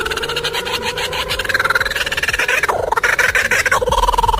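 A kookaburra's raucous laugh: rapid, hoarse cackling notes, about three a second, swelling and rising in the middle before tumbling down again.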